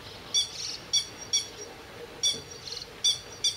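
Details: Territorial grey-headed lapwing mobbing a grey heron and ducks with low attacks, morning of 31 May 2011. Loud, clipped, piercing single notes, some doubled, repeated irregularly about twice a second, with fainter softer calls between.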